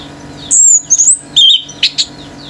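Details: Orange-headed thrush male, singing hard to stir rival birds: a long, very high thin whistle dropping slightly, then short buzzy bursts and two sharp chips, with a faint low hum beneath.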